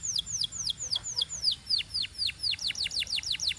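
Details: High, pure canary whistles in Belgian singing style, each note swooping down, repeated roughly four times a second and speeding up near the close.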